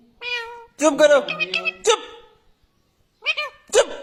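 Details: A green ringneck parrot talks in a high, nasal, human-like voice with words like "girl": a run of quick syllables, a brief pause, then two more clipped words.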